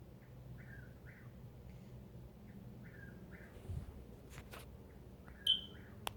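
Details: A bird that calls throughout the night gives soft falling whistled notes in twos and threes, repeated about every two seconds, with a few clicks and knocks nearby over a low hum.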